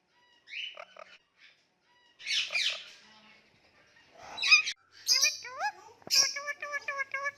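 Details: Indian ringneck parakeet kept as a talking pet, making cute noises. It gives a varied run of chattering sounds: a whistled note, rough bursts, then quick rising and falling whistles with rich overtones, repeated in a bubbling series.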